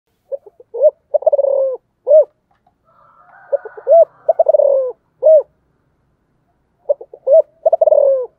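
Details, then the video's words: Spotted dove (cu gáy) cooing in three phrases: a few short soft notes, a quick stuttering burst, a drawn-out falling coo, then one strong arched coo. Faint whistled tones from another bird sound in the middle. "cu gáy"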